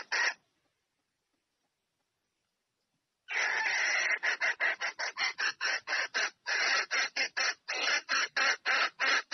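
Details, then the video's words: Mating call of a female red junglefowl to the male: a single opening note, three seconds of quiet, then a long, rasping volley of clucks repeated almost twice a second. "Tiếng GÀ RỪNG MÁI Gọi Trống Chạy Về Đạp Mái Tốc Độ / Âm Thanh Gà Rừng Mái Kêu"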